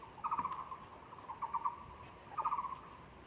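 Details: Taiwan barbet calling at a zoo on 24 February 2020, three brief trills of quick hollow knocking notes on one pitch, spaced about a second apart against a quiet hiss.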